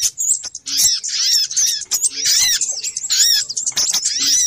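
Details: Noisy little spiderhunter lure calls, sharp high chips grouped into irregular rapid bursts separated by short gaps.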